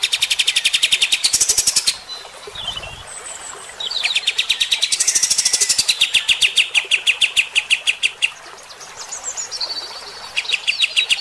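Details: Bulbul in harsh shooting-style song, played to rouse fighter-type birds: long rapid volleys of sharp notes, rising and falling slurs, a brief low thump, and repeated high whistled phrases.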